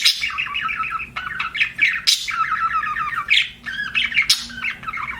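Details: Budgerigar chirping, a continuous warbling chatter of rapid squeaky notes with occasional sharp louder squawks.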